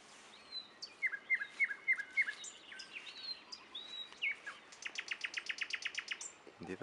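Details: Nightingale song from Dubki: a row of four bright down-slurred whistles, high thin notes, then a rapid, evenly repeated trill of loud clicks, ending with a low harsh sound.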